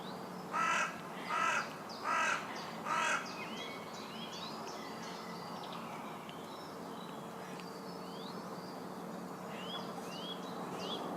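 A carrion crow gives four harsh, rasping caws about one a second, then stops; high twittering from small birds continues behind a steady background hum.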